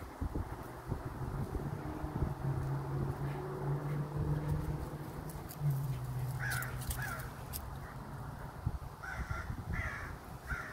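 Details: Strange chittering from a crow in Minnesota: paired short, rough notes arrive around the middle, then a quicker burst of four near the end, over constant low rumble and a faint hum.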